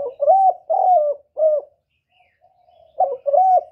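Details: Spotted dove, 2023: a three-note cooing phrase of mellow, slightly falling notes, a quiet pause with a faint hum, then the next phrase begins with a stuttered coo.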